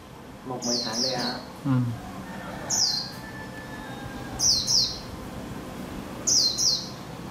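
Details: A several-month-old wild-type white-eye decoy bird, hung out to test it, gives short, high, descending twittering notes in pairs, repeated every couple of seconds, tail fanned, while men talk quietly in the background.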